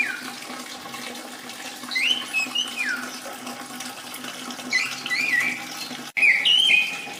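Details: Orange-headed thrush singing, for a bird that has stopped singing or is moulting: short warbled phrases of twisting whistles in bursts, over loud rushing, water-like noise, with a sudden break near the end.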